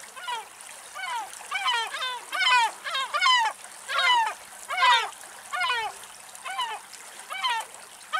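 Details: Small flock of male and female mallards, startled perhaps by a passing raptor, moving off from a sheltered spot in Axios Delta National Park, Thessaloniki, Greece, give rapid overlapping nasal downslurred quacks with faint water splashing.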